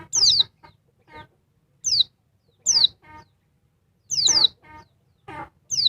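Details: Oriental white-eye female, noisy and riling the male: piercing descending whistles, sometimes doubled, alternating with short buzzy, harmonic chatter notes in an uneven rhythm.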